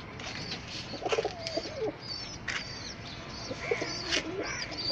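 Pigeons give low, wavering coos among higher chirps, clicks and rattling noises in a busy loft.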